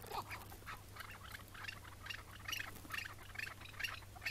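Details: Chukar partridge on a May 2017 morning during capture; rasping, hoarse notes repeated roughly every half second, fairly high and broad, over a low steady hum.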